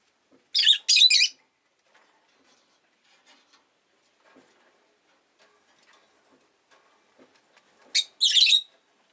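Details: Rosy-faced lovebird calling in short bursts: a pair of shrill, rasping chirps at the start and another double burst near the end, with faint soft rustling in between.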